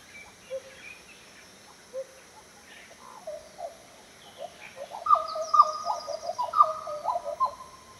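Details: Black Butcherbird, a tropical northern species, recorded in Australia's Top End, giving mellow, fluty notes, sparse at first, then a quick run of rich, yodelling phrases over the last three seconds; faint background hiss.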